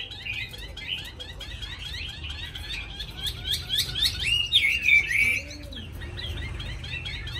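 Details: Caged Hwamei with a wild-type voice, newly arrived: a busy, continuous stream of high chattering and slurred whistles that builds in volume toward the middle, then fades to softer notes over steady low hum.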